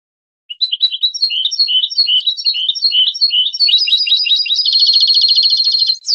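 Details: European goldfinch singing on a tutor recording for young birds: varied twittering phrases that accelerate and climb, ending in a dense, rapid high trill.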